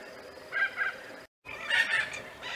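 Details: Nesting spoonbills giving rough, grunting two-part calls, a quieter pair of notes followed after a short break by a louder, longer burst, with faint colony background.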